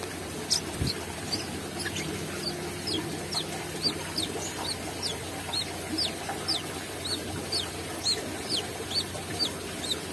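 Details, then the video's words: Brown-throated sunbird singing vigorously with open beak: a steady series of thin, high, downslurred chirps, roughly two each second, over a constant low background hum. "KOLIBRI KELAPA GACOR BUKA PARUH"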